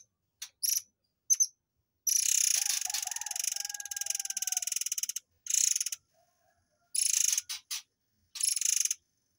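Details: Murai air giving a fiery 'tembakan air mancur' (fountain shot) song, used as tutor material for white-rumped shamas: brief rasping notes, then a long three-second machine-gun rattle of rapid harsh pulses, followed by more short buzzy bursts.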